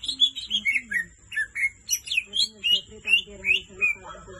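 A leafbird sings a rapid, varied run of clear, slurred whistles, roughly three notes a second, shifting between high and mid pitches, with a faint steady hiss behind.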